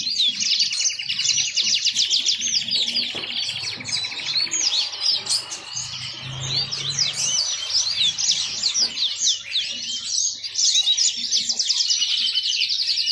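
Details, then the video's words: Extended yellow-fronted canary song, a ceaseless, high warble of chirps, buzzy trills and whistled slurs, with a low hum and a brief low rumble midway. "Ocehan burung mozambik"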